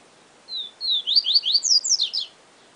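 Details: Yellow-bellied seedeater, 'siu siu professor' song style: a clear high whistle, a second longer whistle, then a lively cascade of steeply slurred notes climbing higher before ending.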